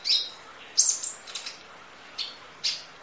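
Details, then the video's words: Sparse, very high sharp notes from a Kolibri Ninja sunbird, masteran full-fill 'nembak' recording: four or five separate piercing chips spaced unevenly over a few seconds. "Audio Master Masteran Kolibri Ninja Full Isian Nembak Durasi Panjang Kicau Burung"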